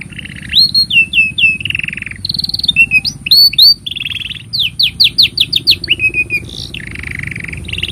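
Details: Canary song meant for teaching young canaries: varied phrases of looping whistles, buzzy low trills and bursts of rapid downswept notes, changing every second or so in a continuous flow.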